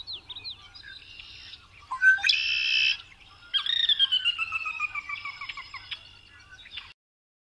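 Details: A red-winged blackbird gives a few thin notes, then a strong harsh buzzy trill, followed by a long series of rapid descending chattering notes that fade before the recording cuts to silence.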